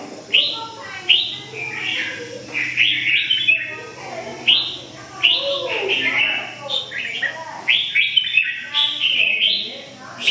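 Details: Red-whiskered bulbul pouring out busy, jumbled whistles and warbles almost without pause, with quieter lower-pitched chatter mixed in behind the main singer.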